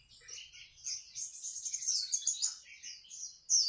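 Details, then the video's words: Wambi singing: a fast, high-pitched twittering warble of chirps and trills that runs almost without pause, ending on a louder, sharper burst. "Kicau Burung Wambi Mini"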